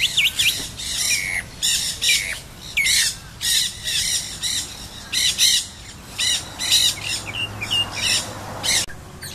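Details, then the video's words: Nanday parakeet, also called black-hooded parakeet, chattering while chewing stems in St. Petersburg, Pinellas County, Florida, on 2 October 2014; harsh, raspy squawks come in quick bursts roughly every half second, with brief pauses between. "Nanday parakeet Conure or Black-hooded parakeet chattering & chewing stems"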